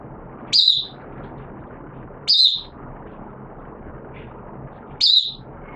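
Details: Caged oriental white-eye in 'buka sing' (open singing) form, wet weather, 06/09/2022: three bright, thin, high-pitched chirps that drop quickly in pitch, spaced about two to three seconds apart, with one faint short note between, over dull background noise.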